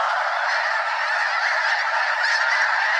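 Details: Snow Geese, a flock of over 200, circle several times over Limestone Bay in North Alabama's Wheeler National Wildlife Refuge; rapid, overlapping honks pour out in a thick, constant clamour, roughly three or four per second.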